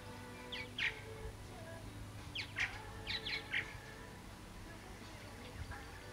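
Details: Returning flock of purple martins, present again after three years away, producing brief raspy chirps and gurgles in a few spaced clusters, quieter than the background hum and low rumble.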